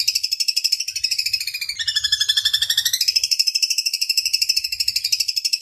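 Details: ['Cendet (long-tailed shrike) rolling a long, dense trill amid kuntilanak, tengkek buto and fighting-sparrow imitations. The rapid pulses slide lower midway, then climb back and continue steadily high.']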